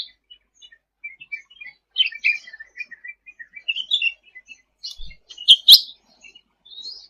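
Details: Sooty-headed bulbul in energetic full song, used as tutor material for songbirds: a rambling chain of short chirps and slurred whistled notes, with a few sharp clicks near the end.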